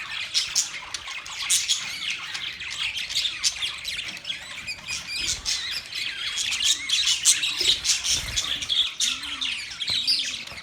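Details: A flock of pet budgies, November 19, 2023, chirps and warbles without pause. High, scratchy notes tumble over one another in a constant, lively chorus.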